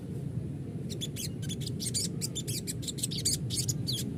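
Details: Sogon recording played as a lure so a bird sings readily and responds. A rapid string of short, high, scratchy notes and chirps, with one whistle that sweeps down, runs over a constant low droning hum.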